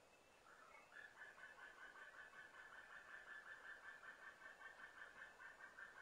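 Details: White-tailed eagle chick begging at a nest on Smøla, Norway, early morning of 29 September 2017, with adults calling. A fast series of clipped notes repeats about two or three times per second for roughly five seconds.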